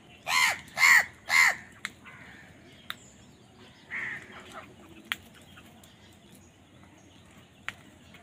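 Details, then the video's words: Crows quarrel over food. Three harsh, hoarse caws come in a rapid burst at the start, followed by quiet and a few faint distant calls and sharp clicks. "Crow Bird Fight for Food | Crow Bird Unity Anger and Crowing Sound"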